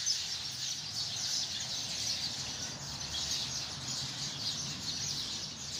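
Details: Hundreds of sparrows settled in a tree chirp all at once, forming an even, high, shimmering chorus of countless overlapping tweets.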